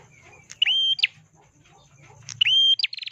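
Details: Prinia, known locally as prenjak, singing: two bright phrases of a sharp rising sweep into a sustained high whistle and a quick flick, followed by a rapid buzzy trill, over a low background hum.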